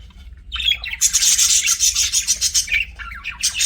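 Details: Pet budgies chirping: a dense, buzzy, chattering warble of fast pulsed notes, about three to four pulses a second, starting after a brief quiet moment and running almost continuously to the end, with a faint low hum beneath.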